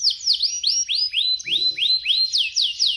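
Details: Caged canary in Indonesia, kept as a competition fighter songbird: high whistled notes sweeping downward, repeated in a steady string roughly every quarter second.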